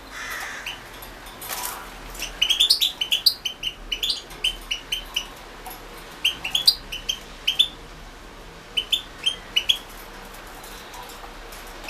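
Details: European goldfinch recorded for the 2016 internet World Championship in Goldfinch Song repeats short, sharp, high chirps and upslurred tweets in irregular clusters over about ten seconds, with a soft low hum behind.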